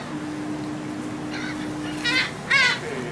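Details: Gulls being fed on board a ferry from the Dutch island of Texel, March 2014: two short harsh squealing calls near the end over a steady engine hum.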